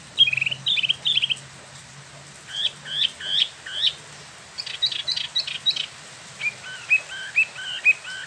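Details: Wambi mini, a captive spot-throated babbler kept in Bandung, West Java and imported from mainland China and Vietnam, in rolling ngeroll song. Quick buzzy trills lead into a series of short rising upslurs and hooked whistled notes in rapid clusters.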